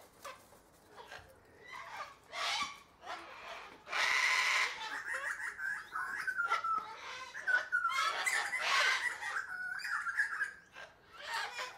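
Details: Sulphur-crested cockatoo producing a mix of short squawks, one loud harsh screech, and wavering whistled and chattering notes, with irregular pauses between sounds.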